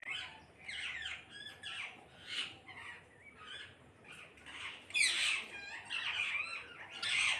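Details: A flock of parrots calling together: harsh, overlapping squawks and screeches in irregular bursts, some rising, roughly once a second, louder toward the end.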